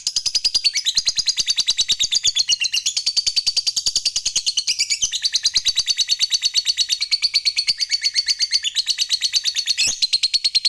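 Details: Lovebird of fighter type giving a long unbroken chattering song meant to provoke rivals: loud, dense, rapid ticking chatter, about eight pulses a second, continuing without a pause for over ten seconds.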